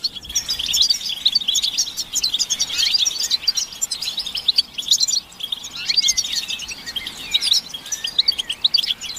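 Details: Group song of European goldfinches, with chattering and mating calls meant to excite males into singing: continuous high, jingling twitter in two dense waves separated by a short lull near the middle.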